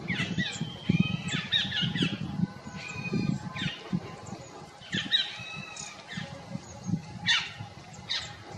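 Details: A stripe-throated yuhina perched in forest near Jabberkhet, Mussoorie, utters quick bunches of high chirps and brief downslurred whistles at uneven intervals, set against continuous deep rumbling background noise.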